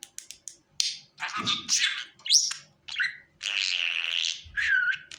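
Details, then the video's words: Pet budgerigar calling, meant to bring a budgie to the hand: a few quick ticks, then raspy squeaks and a drawn-out buzzy warble. Faint low thuds are heard twice. "Muhabbet kuşu Ele Çağırma"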